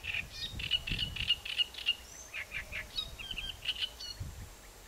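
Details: Great reed warbler (Acrocephalus arundinaceus) in Doñana National Park, Spain, April 2011, giving a rapid series of short, harsh notes, about three or four per second, over low rumbling background noise.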